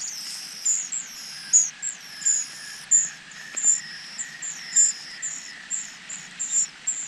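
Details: Nestling birds waiting for their parents to bring food: thin, very high chirps repeated roughly every half second, each a short sharp note, over a faint steady background hiss.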